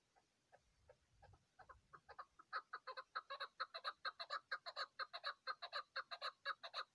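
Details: Mountain chukar partridge, hunting time: soft, spaced clucks swell after a couple of seconds into a loud, fast train of hoarse chuck notes repeated about twice a second.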